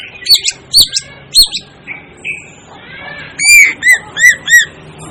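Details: Calls of an Asian glossy starling: sharp, ringing whistled notes repeated roughly every half second, a pause with softer slurred notes, then a faster run of loud downward-bending metallic whistles.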